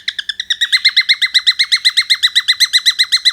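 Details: Cockatiel producing a fast, even series of rich, hooked chirping notes, about four per second, each slightly rising then falling, steady and loud throughout with no other sounds.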